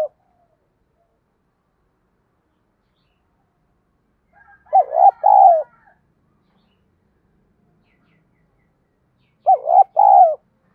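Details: Fight-provoking lure song of a spotted dove in the 'giọng đồng' style: two mellow coo phrases about five seconds apart, each a stammering rising start followed by a longer rounded coo, otherwise silent.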